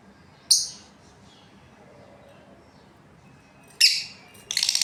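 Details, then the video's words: A breeding pair of Australian lovebirds gives a harsh, high chirp, then after a quiet pause two more in quick succession, the last one buzzy and stuttering. "Australian Lovebirds Chirping Sounds"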